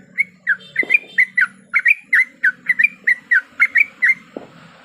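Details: A female sooty-headed bulbul in breeding condition calls a male with a rapid series of bright chirped notes, each quickly slurred, about four per second, with two brief knocking sounds and a low hum behind.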